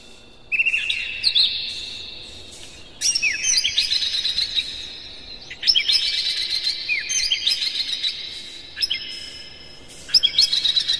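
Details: Energetic morning song of an Oriental magpie-robin for stirring caged birds: five phrases of fast chattering, whistling and sweeping notes, each beginning abruptly after a brief pause, rich in high tones.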